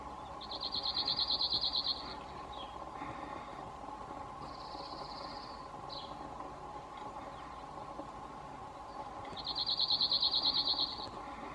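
A male cirl bunting gives two dry, rapid rattling trills on one high pitch, each about a second and a half, with a soft buzz between them and a steady low hum behind.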